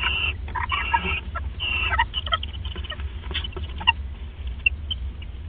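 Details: Owls bonding at the nest in the early hours of 29 December 2014: harsh, broken chittering bursts, stronger early, then scattered shorter notes over a constant low hum.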